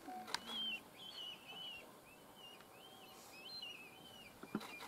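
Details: Red kites gathering at the BellyMack Hill Farm feeding station in Galloway, Scotland, during the 2 pm feeding frenzy give thin, wavering, high whistles, short quavering notes rising and falling, over faint background noise with a few sharp knocks.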